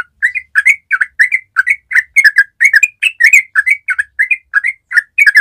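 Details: Yellow-vented bulbul in strong form delivering a continuous long ropel song. Loud paired bubbly chirps tumble out almost without pause for over five seconds, rich and gurgling.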